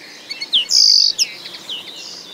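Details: A common linnet sings a short, high, varied phrase with a drawn-out nasal buzz between quick downslurred chirps and twittery notes, set against quiet background.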